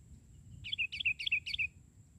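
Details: Sooty-headed bulbul in full song, singing while perched on the ground instead of a branch: four bubbly whistled phrases in quick succession, each a short rise and fall, over faint low background rumble.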